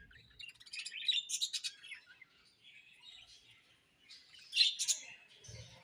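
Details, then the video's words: Budgies give short clusters of sharp, squeaky chirps and twitters, with a quieter soft warble between two louder bursts. "Beautiful Budgies Chirping Sounds"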